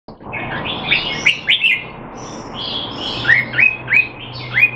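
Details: Caged male Red-whiskered bulbul (Jambul) in Singapore, in training to keep him sharp while out of form, 25 December 2020: a burst of bright chirps, then a run of short rising whistled notes, evenly spaced, with a low hum behind.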